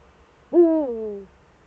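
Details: One Eurasian eagle-owl call, Eifel, 4 February 2014, 7:27 to 7:46: a low hoot that swells sharply, holds, and then tapers downward for nearly a second, with little else audible.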